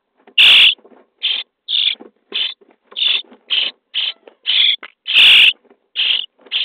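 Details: Nestling common starlings in a nesting box on day 23, being fed: a rapid run of rasping, buzzy begging bursts, about a dozen in under seven seconds, two much louder and broader than the rest.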